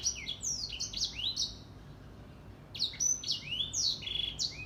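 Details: Grey singing finch, known as Edel Sanger, in full morning song: rapid chains of high, sliding whistled notes that swoop down and up, a brief pause, then another run of sweet warbling.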